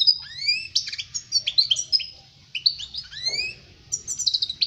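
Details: Goldfinch singing for young birds to learn from: clear whistled notes, rising slurred sweeps and short buzzy bursts strung together quickly, with brief gaps between phrases.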